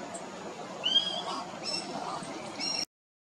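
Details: A yellow-rumped cacique (Cacicus cela) at Ilha de Comandatuba, Bahia, Brazil, 2020, gives a short slurred whistle, then a couple of harsher, squeaky notes over steady background hiss.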